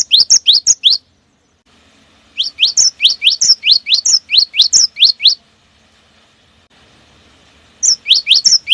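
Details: Cinereous tit singing the long 'wucit wucit' lure song in rapid close-set phrases. Bright rising whistles come in three groups, the middle one about three seconds long, with a soft background hiss between groups.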